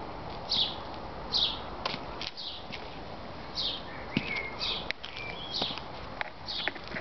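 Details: Great tit (Parus major) calls at a birdhouse in Veghel, the Netherlands, while flying in and out at feeding time: short high chirps about once a second, a few thin whistled notes, over soft tapping and rustling.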